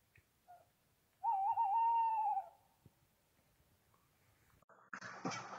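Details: At night, a Tawny Owl answering playback from car speakers gives a single long, wavering hoot of just over a second, fairly high and tremulous, followed by quiet and a brief rustle near the end; recorded during an owl count.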